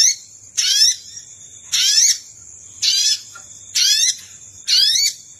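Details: Sogon lure call for attracting wild birds: five buzzy bursts of rising stacked sweeps at slightly irregular spacing, about one per second, with a constant thin high hum and faint low rumble.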